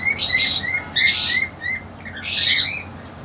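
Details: Two-month-old female cockatiel kept with a male desperate to mate: three loud harsh squawks alternate with shorter rising chirped notes, all high and bright, indoors in a cage.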